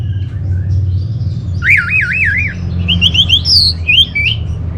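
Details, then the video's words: Orange-headed thrush kept as a cage bird, its song used as a lure and master song for training other birds: a wavy, warbling whistled trill, then short rising and falling whistles, over a steady low hum. "ANIS MERAH Dirumah Pasti Gacor || Pancingan sekaligus Masteran Burung Punglor"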